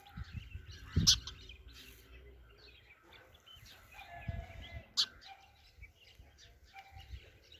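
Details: Sparrows chirping in scattered high notes, with two sharp, loud snaps and a few low thumps, like small movements, in between.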